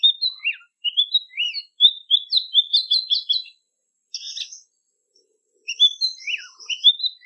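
An Oriental magpie-robin sings a lively run of sweet, varied whistles and quick chirps.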